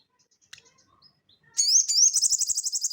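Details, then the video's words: Sogon, or crested jay, singing in the ngeleper style used to train cage birds: soft high ticks, then a loud high sweeping note running into a fast, even series of sharp, high pulsed notes. "SOGON GACOR NGELEPER"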